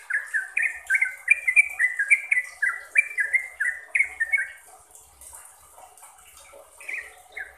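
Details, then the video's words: Sooty-headed bulbul singing trucukan-style for training caged birds: a quick run of bright whistled slurs, dropping and rising, packed closely for about five seconds, then fading to scattered quieter notes. "BANYAK Trucuk yang jadi GACOR dan ROPEL berkat suara TRUCUKAN ini"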